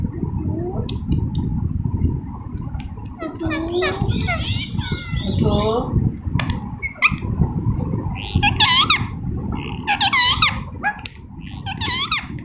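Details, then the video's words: Green rose-ringed parakeet talking: bursts of bent, speech-like chattering syllables and short rising squeaks, coming in clusters, over a constant rumbling low background noise. "Green Ringneck Talking Parrot Natural Sound"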